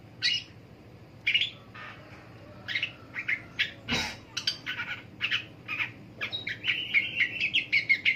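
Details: Long-tailed shrike in the morning: spaced harsh rasping notes and a loud click, building into a faster series of grating calls mixed with a squeaky whistled note near the end.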